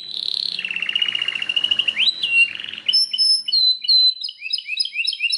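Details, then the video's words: Belgian canary song opening with a buzzy, rattling trill, then a slide into rapid clear whistled notes and quick upward chirps repeated several times a second. "O canto canário mais espetacular #85 - OUÇA ISSO e seu CANÁRIO BELGA VAI CANTAR MUITO!"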